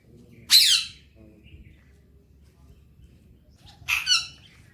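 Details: Alexandrine parakeet kept as a talking parrot, enjoying morning time; two loud harsh squawks about three seconds apart, the second doubled and slightly lower.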